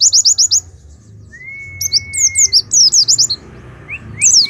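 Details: Oriental white-eye from Pemalang opens with a rapid string of high chirps. A long, steady, level whistle follows, then dense twittering and more rising slurs, all over a low background hum.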